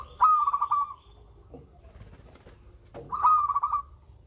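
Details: Local-type zebra dove with a melodious voice, singing two phrases about three seconds apart. Each opens with a clear rising whistle, then a quick run of soft stuttering coos. A low background hum sits beneath.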